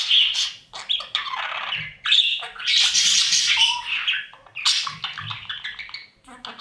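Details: Budgie babies in the nest box, fed by their parents: loud, harsh screeching squawks in long, rasping bursts, broken by brief silences, with a few lower chirps at the very end.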